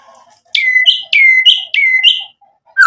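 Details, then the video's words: White-rumped shama song used to provoke a reply from other birds: three loud repeated phrases, each a sharp high note dropping into a steady whistle then a rising buzzy note, about every 0.6 seconds, ending with a lower whistled note. "MURAI BATU GACOR memancing EMOSI bikin NYAUT ikut BUNYI"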